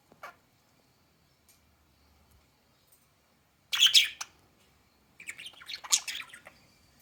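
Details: Budgerigars outdoors while eating parsley: a few faint scattered clicks, then two loud bursts of scratchy, warbling chirps. The first burst comes near the middle and the second, longer one near the end, with quiet pauses around them.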